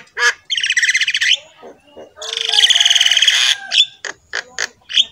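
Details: A Javan myna singing in full voice as a master track for other mynas: two long harsh rattling buzzes, then quick scratchy chips and a short whistle, sharp and loud.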